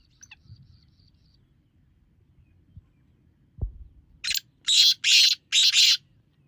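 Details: Black francolin call used to lure francolins: after a faint thump and quiet, a burst of four rasping, grating notes in about two seconds.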